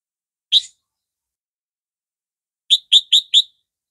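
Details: Caged red-vented sooty-headed bulbul, set against a yellow-vented bird, gives one sharp high note, then after a pause a rapid run of four bright whistled notes.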